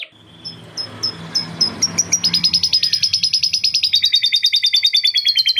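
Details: Caged canary singing at length, its song filled with lovebird-like cackles; soft ticking notes open, then a loud, quick, clicking trill repeats over three times a second over a faint low rumble.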